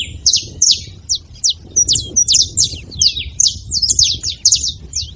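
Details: Saffron finch singing in a seed-feeding area, a rapid stream of sharp high chirps and downslurred notes, about two per second, with low background rumble.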